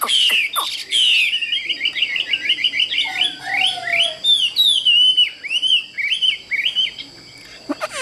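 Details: Varied, fast song from a caged Chinese hwamei: high twittering trills, looping whistled slurs and downward swoops, fading to quiet near the end, with a steady thin electronic whine.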